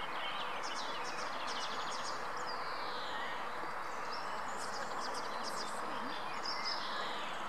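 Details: Greylag goose goslings at the Munich Botanical Garden give thin, high peeping calls in quick clusters, some sliding down in pitch, over a steady broad background hiss.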